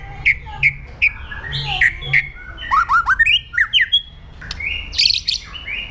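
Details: White-rumped shama, 'pastol jahat' aggressive song for training other birds: short sharp chip notes repeated about every half second, then harsh upward-flicking squawks and a high buzzy note, over a faint low hum.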